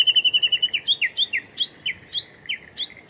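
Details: Japanese bush warbler at Showa Kinen Park on 10 April 2021: a fast, level high trill breaking into loud chirps that slide down in pitch, repeated roughly four times a second, then spacing out.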